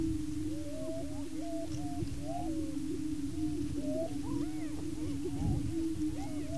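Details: Displaying male greater prairie chickens contest breeding territory on a lek in Washington County, Kansas. A sustained low booming tone is joined by scattered arching whoops and short cackles, with low rumble beneath.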